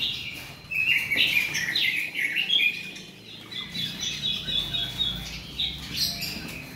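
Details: Male Oriental magpie-robin, a caged bird, singing short bursts of bright whistled and chattering phrases that rise and fall, with brief pauses between, over a steady low background hum.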